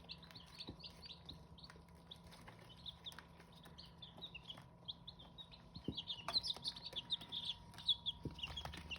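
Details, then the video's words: Hmong chicken chicks peeping, many short high-pitched cheeps overlapping, growing louder and busier toward the end, over a constant low electrical hum. "Qaib Hmoob (aka Hmong chicken) Chicks!!"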